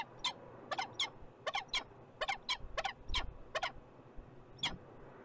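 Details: A peregrine falcon in Montreal, Canada, gives harsh, rasping notes in quick pairs and threes, about a dozen in five seconds, over a low background rumble.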